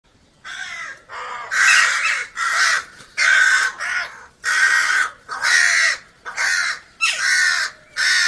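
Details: Crow calling, recorded as a call to attract crows for food: a steady run of about nine harsh, hoarse caws, each roughly half a second long and spaced under a second apart, with little background noise.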